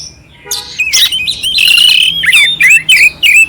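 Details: Oriental magpie-robin song, coarse and clear, for firing up a dull magpie-robin: a harsh rasping burst opens, then fluid warbling whistles and short repeated chirps.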